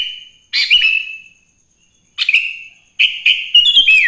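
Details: In the morning a sooty-headed bulbul sings vigorously, a lure for other bulbuls: a drawn-out whistle, then three bursts of bubbly, liquid whistled notes separated by brief silences, over a thin constant high tone.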